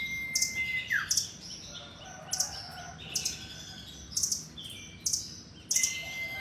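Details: Striped nuthatch (rambatan loreng), a caged bird, singing: a long pure whistled note that drops sharply, then paired sharp chirps repeated roughly every second, and the whistle returns at the end.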